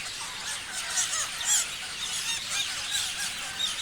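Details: A flock of parrots chirping together: a dense, continuous chorus of high squealing chirps and short rising and falling notes, with a few louder shrill calls standing out near the middle.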